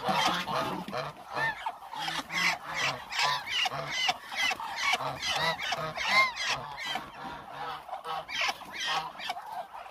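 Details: A big hungry flock of Muscovy ducks, about 1000 birds, keeps up a steady chorus of overlapping harsh, honking calls for the whole stretch, with little pause.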